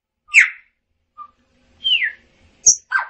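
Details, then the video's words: Chopi blackbird song: a loud falling whistled note, a brief soft low whistle, then a long descending slurred whistle and sharp high notes, separated by short silences. "Tordo Chaqueño Cantando - Chopi Blackbird Singing"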